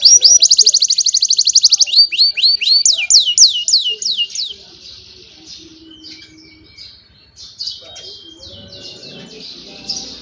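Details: Young canaries singing to train other canaries, recorded on a cellphone: a fast, even trill of rapid high notes for about two seconds, then a run of slower descending sweeps, fading into softer, scattered warbling.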